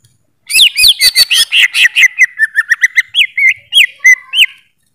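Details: Greater green leafbird singing a fast run of loud, clear whistled notes, many sweeping up and down, first rapid and clipped, then spaced slurred whistles near the end; quiet background.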